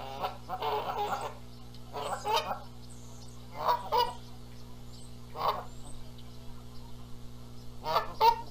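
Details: Nesting Canada geese in Charlo, Montana, April 2022, disputing incubation of the eggs; widely spaced bursts of rough honking, about one every four seconds, over a steady low hum.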